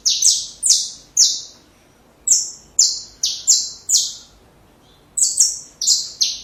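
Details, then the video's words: Song of a saffron finch intended for tutoring young birds: high, downward-slurred chips in runs of three to five, separated by short pauses, steady and clear with little background. "Canário da Terra Canto Perfeito Para filhotes"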